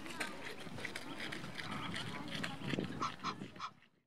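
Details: A male Egyptian goose (Alopochen aegyptiacus) in Rombergpark, Dortmund, on 16 March 2012 gives a harsh, breathy alarm call, a rapid run of hoarse huffs about three a second, ending in a few clearer notes.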